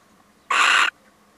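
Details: Single loud, rasping screech, just under half a second long, from a male little owl that drops by for a visit, with a quiet background around it.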